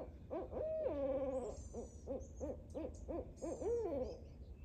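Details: Barred owls, two birds active on a morning in a backyard nature preserve, giving a fast series of arched hoots about four per second, broken by long wavering slurred notes; faint high bird chirps overhead.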